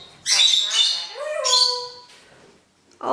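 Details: Pet parrot singing Happy Birthday to its owner on the owner's birthday, repeating it several times: a voice-like phrase with rich harmonic tones, one note sliding upward, then a short pause before a new sound begins.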